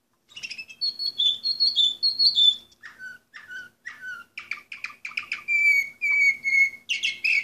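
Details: Song of an Orpheus-breed canary, number 24 of 2014: whistled trills of repeated notes, then lower descending chirps, then a run of clear, steady whistled tones and a final burst of rapid chirping.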